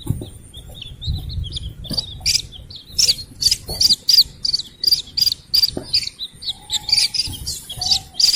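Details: Slaty-legged crake chick calling, a recording meant to draw in the parents: soft high notes at first, then sharp, thin, high peeps repeated about three times a second, with a faint low hum beneath.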